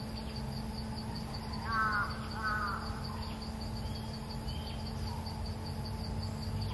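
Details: Red-eyed bulbul, described as a clever territory-holding bird used as a lure, gives two short bubbly warbled phrases close together over a steady insect hum and low background rumble.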